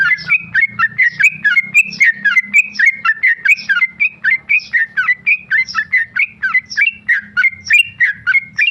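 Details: Tame male sooty-headed bulbul, a kept contest bird, delivering non-stop rapid-fire song: dense run of short whistled notes, about four per second, bouncing between two pitches for nearly nine seconds, loud and close.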